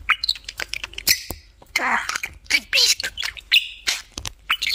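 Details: Domestic budgerigar on top of its favourite cage, chattering in rapid raspy, word-like phrases with clicks, buzzy notes and brief high whistles, busy and irregular.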